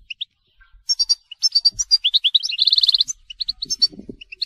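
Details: Telqam-style European goldfinch song, a busy stream of high tinkling chirps building into a fast rattling trill, then spaced twitters, with faint low knocks near the end.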